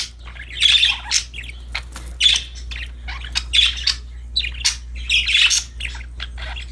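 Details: Happy budgies playing with a new toy chatter in broken, irregular bursts of scratchy chirps and squawks, several louder peaks spread across the stretch, over a constant low electrical-sounding hum.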